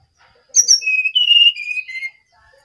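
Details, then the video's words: Bali brown-chested jungle flycatcher singing vigorously: a crisp high opening note followed by several level, flute-like whistles falling gradually in pitch over about a second and a half. "Sinkatan rimba dada coklat (SRDC) Bali Gacor"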